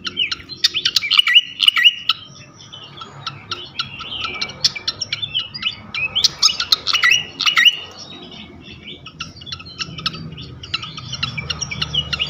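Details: Lure song meant to rouse any flycatcher into calling: busy bursts of chattering, twittering notes and short whistles come in clusters, with brief pauses between runs and a steady low background hum.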